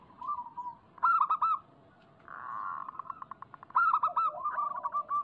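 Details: Zebra dove song used as a lure to prompt doves to sing: two bursts of fast, rolling cooing notes framing a short, rough buzzy stretch broken into quick pulses, with softer trailing coos at the end.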